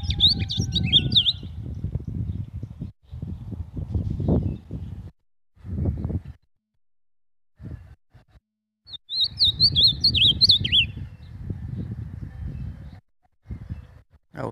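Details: Ultramarine grosbeak (azulão) from a private keeper gives two separate warbled phrases of rapid, high, twisting whistles several seconds apart, between gusts of low rumbling noise and brief silences.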